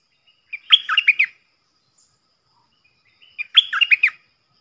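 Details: Decoy bulbul, one of four caged birds recorded in the forest, gives a short, rich, gurgling phrase of several quick warbled notes, then repeats a near-identical phrase about three seconds later.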